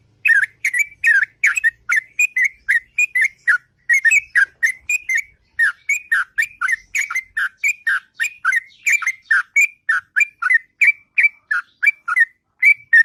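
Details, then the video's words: Long, unbroken ngropel song of a sooty-headed bulbul at morning: a steady stream of bright, fluty two-note whistles, bubbling and slightly varied, rattling on for many seconds. "Burung Trucuk Ngropel Panjang & Merdu Di Waktu Pagi"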